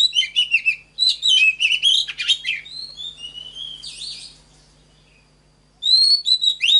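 Oriental magpie-robin singing a rich, varied run of clear whistles, slurred notes and quick chirps, with a pause before another bright burst.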